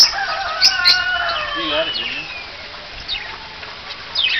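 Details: Parrot in a drive-through zoo park in Mooresville, North Carolina, imitating "bye-bye": a warbling, voice-like utterance that slides downward, followed by quieter thin squeaks and faint background sounds.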